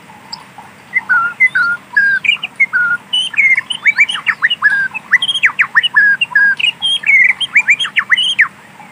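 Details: Wild white-rumped shama in natural forest singing varied whistled phrases, then a rapid series of sharp, chopped notes with quick upward and downward slurs that goes on for several seconds.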